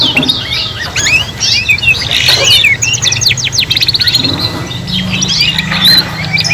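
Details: Canaries sing for young learners in a three-in-one mix. Rapid repeated notes and bright trills cluster in the first half, then sparser chirps follow, over a low hum.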